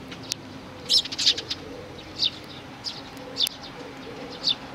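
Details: Parent sparrows with their young, recorded 11 May 2019; sharp, high chirps come in a pair near the first second, followed by single chirps at irregular intervals over a soft low hum.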